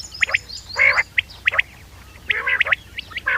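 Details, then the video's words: Common quail calls from a rare hunting-lure cassette. Sharp, short whistled notes come in quick pairs, mixed with longer nasal, buzzy bursts, all over a faint low hum. "بٹیر کی آواز شکار نایاب کیسٹ quail bird sounds for hunting common quail bird sounds"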